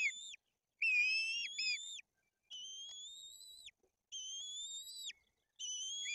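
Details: White-tailed eaglets at a nest in Tuchola Forest, Poland, during fish feeding, the older chick aggressive toward its sibling. Five shrill whistles, some breaking into short double notes, are spaced by brief silences.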